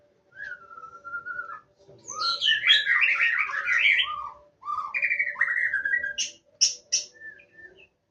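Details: Indonesian white-rumped shama, wild, opens with a clear sustained whistle, then bursts into a loud, tumbling jumble of varied notes, more rising whistles, and ends with a few high sharp chips; soft low hum throughout.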